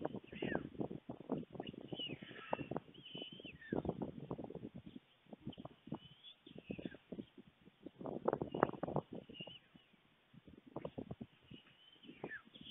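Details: White stork storklets on a nest webcam in Fohrde, Germany, 28 July 2019 at 3:58 p.m., eager to be fed as a parent lands. Bursts of rapid, dry ticking pulses come in groups separated by pauses, with faint thin chirps of other birds.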